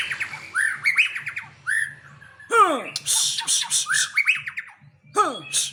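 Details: Murai Aceh, the white-rumped shama, showing its bongkar isian style: repeated rising whistled phrases mixed with downward-swooping notes and hissy buzzy bursts, over a faint low hum.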